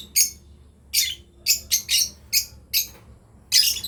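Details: Breeding pair of lovebirds giving sharp, high chirps, about eight short bursts in under four seconds, some doubled, over a faint low hum.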